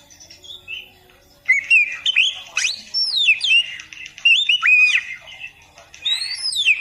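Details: Oriental magpie-robin (kacer) in a masteran for beginners: after soft opening notes, loud bursts of varied whistles, sharp upward and downward slurs and chattering phrases repeated across several seconds.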